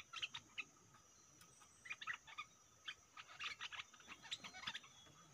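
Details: Decoy stripe-throated bulbul in a cage, confronting aggressive captured wild birds, gives a lively run of quick chirpy notes in loose clusters throughout, against a faint steady background hiss.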